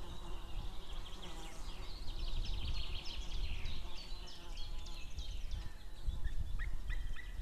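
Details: Pair of white-tailed eagles, female and a far-off male, calling outside on 2 May 2016 near noon: a long chattering series of high, clipped yelping notes, later thinning to a few isolated ones, against strong low rumbling noise.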